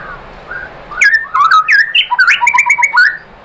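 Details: White-rumped shama song used as a lure to provoke other shamas into singing: loud, varied whistled phrases with sharp upslurs and rapid repeated notes, dense bursts after a quiet start.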